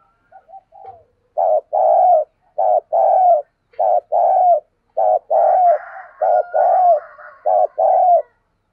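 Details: Spotted dove used as a decoy, giving provoking gáy gọi and thúc calls. Repeated paired coos, a short note followed by a longer one, come six times at a regular pace, with a faint higher warble midway.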